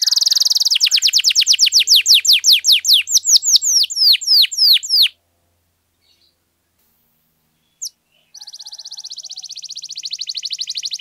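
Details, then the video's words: Canary giving extended 'gacor' song for provoking silent canaries: a rapid buzzy trill turning into repeated descending whistles, a pause of about three seconds with one sharp note, then another fast even trill. "KENARI GACOR PANJANG, AMPUH NAIKKAN EMOSI KENARI MACET AGAR CEPAT BUNYI"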